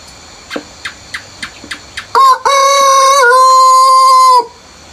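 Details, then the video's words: A rooster crows before sunrise on a countryside farm, opening with a short burst and then a sustained, strongly harmonic, flat-pitched crow lasting about two seconds, preceded by a row of soft ticking sounds. "EARLY MORNING ROOSTER CROWING BEFORE SUNRISE"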